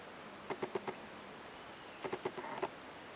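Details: Bar-backed partridge at the forest edge of Kaeng Krachan National Park on 19 March 2012 gives low mellow hooting notes in two quick groups of about four, over a steady high insect drone.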